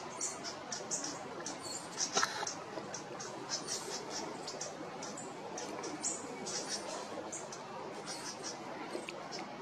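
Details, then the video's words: Two little pink robins having a tick-off at Geelong Gardens, trading soft, dry ticking notes, several short high clicks each second and some clustered, over a steady background hiss. "Two beautiful little Pink Robin having a tick off"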